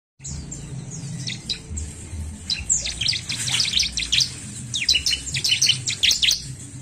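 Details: Bar-winged prinia song, played to stimulate birds: dense bursts of sharp, high chirps and short trills, quieter at first and then thickening after the third second into rapid, overlapping twittering, over a steady low hum.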